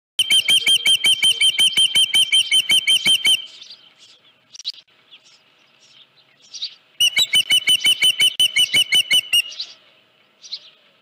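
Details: Osprey at its nest on Dunrovin Ranch, 31 July 2018, around the delivery of a headless fish in the morning: two bursts of rapid, shrill, whistled chirps, about three per second, separated by a few seconds of softer scattered notes.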